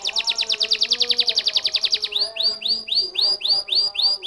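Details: Canary singing: a fast, even trill of about twenty sharp repeated notes, then a slower series of bright upswept whistled notes, each roughly half a second apart.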